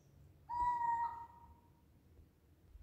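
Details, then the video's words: A single clear, pure, mid-pitched whistled note from a Eurasian scops owl, steady and slowly fading into a quiet night background; a night call recorded on a smartphone. "Eurasian Scops Owl Night Call"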